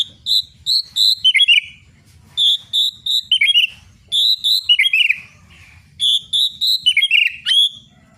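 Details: White-rumped shama song used to stimulate other birds: clear whistled notes held steady, each phrase ending in a quick falling slur, phrases repeated with short pauses between them.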